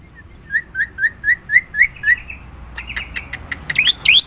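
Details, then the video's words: Black-winged myna in the wild: a row of seven short whistled upslurred notes, followed by dry clicks and two sharply rising whistles. "Suara burung jalak putih"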